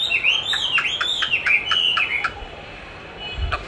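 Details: Chinese hwamei trained by hearing its own song played back: a looping series of arched whistles, evenly repeated about four times a second, then stopping abruptly, followed by a soft low thump.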